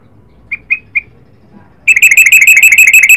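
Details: Yellow-vented bulbul of the Garuda type singing: three brief spaced notes followed by an energetic, rapid series of loud, ringing notes that carry on without a break.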